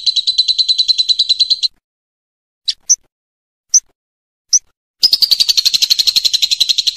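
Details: Lovebird performing ngekek, a masteran recording for training contest and home birds: a long, dense, rapid chattering trill, a pause broken by four short sharp chips, then another long fast run of shrill pulses.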